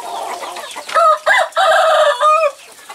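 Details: Free-range village chickens (ayam kampung) during mating, after a rooster let out of its coop chases a hen. Four loud, strained, nasal squawks come in quick succession over two seconds, each with a rising-then-falling tone, over soft clucking.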